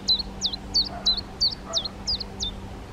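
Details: Black redstart parents, darker male and lighter female, feeding fledged young out of the nest; thin, high, falling-then-hooked notes, eight in three seconds at a steady brisk pace, with a faint low hum beneath.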